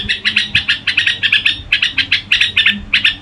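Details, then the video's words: Red-whiskered bulbul in gù-style song, giving quick clipped notes in a steady pulsing run, about four per second, bright and chattery over a soft low hum. "Tiếng Chim Chào Mào Gù Quá Hay"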